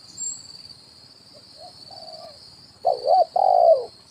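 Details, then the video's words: Spotted dove decoy call of the "kuk 1" style, used to lure wild birds at branch and ground level: faint soft coos, then one loud low two-part coo, a short wavering note and a longer steady one, over a steady high insect hum. "SUARA PANCINGAN BURUNG TEKUKUR,KUK 1 DI RANTING &TANAH"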